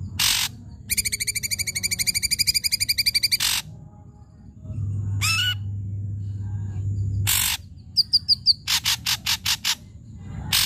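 Ashy drongo in a varied, energetic song: harsh rasping bursts, a fast buzzy chatter, a swooping note, high whistles and a quick run of pulsed notes, with a low hum.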